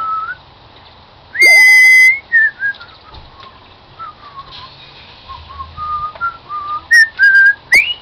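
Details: Cockatiel with a live band whistles "Song of the Garden": one loud, sustained strained whistle, then a run of softer tonal notes that step downward, ending with rising chirps.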